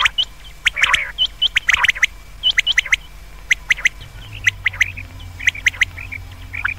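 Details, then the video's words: Common quail (batair) calls, offered as a call for use at night: bright clipped notes, often in quick threes, from several overlapping callers, with some harsher squawks mixed in. "Batair ki awaz raat keliye behtreen awaz | comon quails | بٹیر کی رات کےلیے بہتریں آواز"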